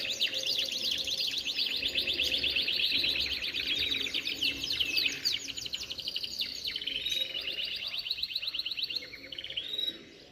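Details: Canaries in full song, with dense rapid trills and rattling rolls running almost continuously, then fading near the end; low background noise.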